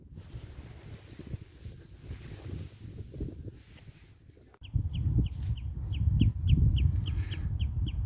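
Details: A common redshank flies off from an estuary at low tide on a sunny day, giving about ten sharp, falling piped notes, three a second, over heavy wind rumble; redshanks take off calling when they notice something unusual.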